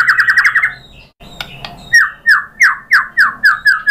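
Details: White-rumped shama song used as a lure to provoke other birds into singing: a fast run of bright falling notes, a brief gap with scratchy clicks, then loud downslurred whistles repeated about every third of a second.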